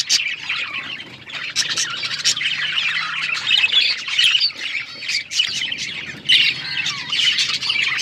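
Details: Singing male budgerigar kept as a pet, courting with a rapid, scratchy warble of mixed chirps, squeaks and clicks, steady and unbroken, with a faint low hum in the background.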